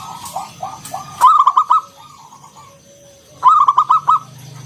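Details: Loud local wild zebra dove, ngalun kung bulat song used to make other doves call; two strong phrases of five rapid stuttered coos about two seconds apart, preceded by softer coo notes.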